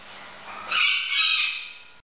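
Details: A blue-throated macaw, one of a pair that has just met and is bonding, gives one loud, harsh, grating squawk lasting just over a second, preceded by a moment of quiet background hiss.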